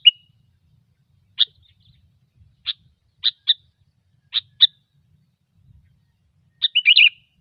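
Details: Sooty-headed bulbul lure song in gecor style: a run of short, sharp, evenly pitched chirps, some in pairs, spread over several seconds, ending in a fast bubbly warble.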